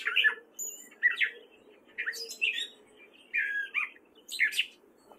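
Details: Gray catbird male in spring, Fairfield, Iowa: chopped squeaky and mewing phrases spaced about a second apart, mixing downslurs with scratchy bursts and a thin high whistle.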